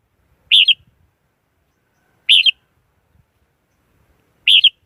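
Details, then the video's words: Red-whiskered bulbul giving three brief bright warbled bursts, each with a short double-peaked shape, repeated roughly every two seconds over quiet background. "Tiếng chim chào mào"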